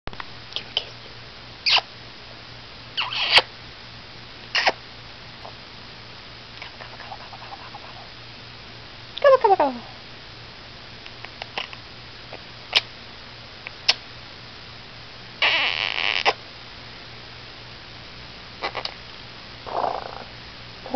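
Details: Rescued male blue-crowned conure, a pet feather plucker, imitating a barking dog: scattered short harsh bursts every few seconds, one long downward-sweeping squawk near the middle, and a few rasping notes later, with quiet gaps between.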